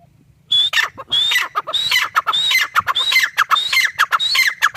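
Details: After a quiet low hum, a grey partridge (teetar) bursts into loud, rhythmic calling: high whistled notes followed by harsh, falling squeaks, repeated roughly twice a second.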